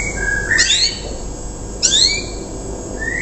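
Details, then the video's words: Young untrained canary in rough 'riwikan' style, a song said to lure other canaries to copy it: two bursts of bright downward-sweeping notes with shorter whistled tones between, over steady background hiss. "KENARI RIWIKAN KASAR // BURUNG BAHAN MULAI KELUAR KICAU AMPUH NYA"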